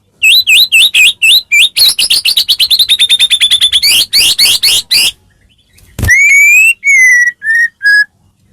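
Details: White-rumped shama song used to coax other shamas into singing: a long, fast run of sharp upswept notes, a silence broken by one click, then a few high, pure drawn whistles that step downward.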